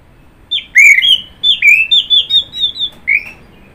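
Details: Orange-headed thrush song made of a rapid string of about nine clear whistled notes, alternating slightly higher and lower, closing with one lower rising note.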